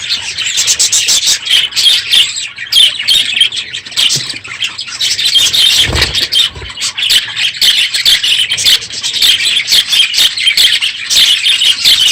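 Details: Noisy morning in an aviary full of budgerigars at the end of the breeding season: constant overlapping squawks, chirps and scratchy warbles from many birds, with a brief low thump near the middle.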